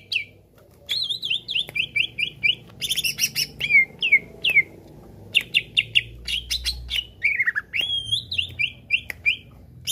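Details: Energetic greater green leafbird song in the 'bongkar isian' style used to stir other leafbirds: quick bursts of clear, sharply descending notes repeated in rows, with a harsh scratchy burst and brief gaps between phrases.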